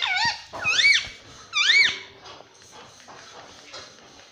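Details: Pet parrot vocalizing indoors: three loud, rising-then-falling squawking notes with rich overtones in the first two seconds, followed by softer, shorter calls; said to say mummy and papa.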